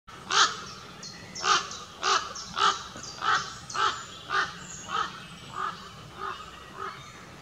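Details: A group of four common ravens wheeling overhead in Southwick Forest for about 30 seconds give a run of about a dozen harsh, hoarse croaks, roughly one every half second to second, with faint background hiss.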